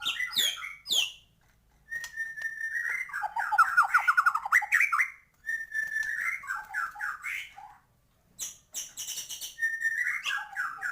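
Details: White-rumped shama singing actively with full filler song, meant to rouse birds' excitement: long varied phrases of loud warbled and whistled notes, several rapid trilled runs and sweeping slurs, broken by short pauses.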